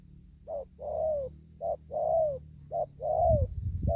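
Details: Spotted dove still out in an upland field, cooing thúc gù style: three phrases of a short note and a longer downward-curving coo, steady and close, with a thump and rustle at the end.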